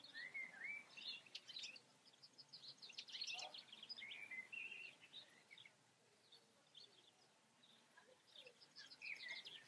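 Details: European goldfinch in the Eifel singing quick chattering phrases, fluid slurred notes alternating with clusters of sharp high chips, several bursts over ten seconds, with light background noise.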